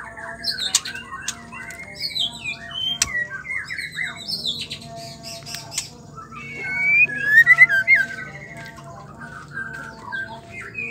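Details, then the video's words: Female white-rumped shama, murai batu betina, singing to make males sing; scattered squawky chips and whistles, then a loud run of clear sliding whistles around the middle, with a sharp click and low background hum. "Murai batu trotol pastol dewasa smua pasti nyaut dengar suara Murai betina gacor"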